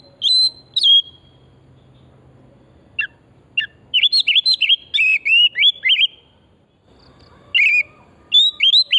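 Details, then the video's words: Oriental magpie-robin, called kacer, singing as a lure recording to stimulate singing: clear high whistles, then a quick run of twisting, bubbling notes, with a pause before more looping whistled phrases. "Pancingan burung kacer pesona hutan murni gacor"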